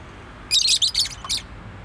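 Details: A household pet bird gives a quick run of four or five shrill, buzzy chirps packed closely together, followed by a single softer note, in a quiet room.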